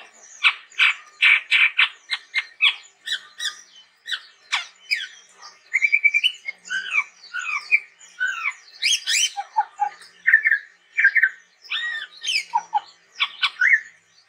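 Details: Chestnut-rumped babbler in energetic gacor song: a fast mix of sharp clicks, short harsh squawks and brief whistled slurs, with rising and falling phrases pouring out almost without pause over fourteen seconds.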